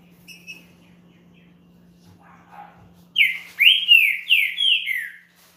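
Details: After a few faint chirps and soft sounds, a champion green-winged saltator bursts into a rapid phrase of about five loud whistled notes, each sweeping up then down. The song is used to warm up another saltator.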